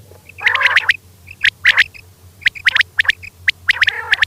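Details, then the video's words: A common quail, possibly a female's voice, used as a hunting and trapping lure, gives harsh, raspy bursts of quick crackling notes in short clusters about once a second, over a faint low hum. "quail hunting sound"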